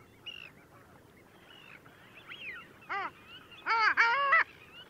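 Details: Long-tailed ducks at Liepāja, Latvia, January 2024: soft scattered calls, then a single arched nasal note and a loud rolling yodel with stacked harmonics, dropping back to quiet background calls.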